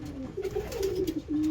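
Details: A single young domestic pigeon showing anger in hot weather gives low, throaty cooing grunts in short pulses, sliding slightly up and down, in a small room with a person speaking softly.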